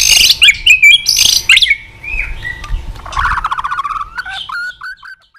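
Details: White-rumped shama tạch song intended to stimulate weak-spirited shamas: a few loud clipped whistles, then a softer rapid buzzy trill and scattered short falling notes fading away.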